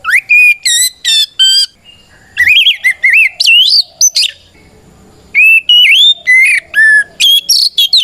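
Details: Oriental magpie-robin (kacer) singing its loud battle song to lure rival birds into answering: clipped whistled notes, a tumbling rising sequence, a silent gap of about a second, then renewed rapid whistles.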